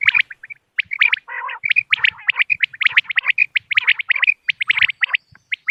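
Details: Common quail calls played to lure birds during moonlit-night hunting: rapid, overlapping, sharp chirped notes in tight clusters, with a short lower, rasping, buzzy burst early on.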